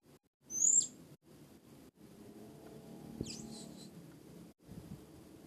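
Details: A young, newly caught Blue-crowned Hanging Parrot (Loriculus galgulus) practising its song, heard through a gap in boards, gives one sharp, very high squeaky chirp, then a fainter high twitter a few seconds later, over a steady low indoor hum.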